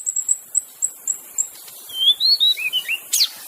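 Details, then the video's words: White-rumped shama singing in the wild, used to lure other shamas into song: a series of thin high piping notes, then lower slurred whistles and a sharp final note. "kicauan MURAI BATU di alam bebas Tanpa Isian||cocok untuk pancingan murai batu macet"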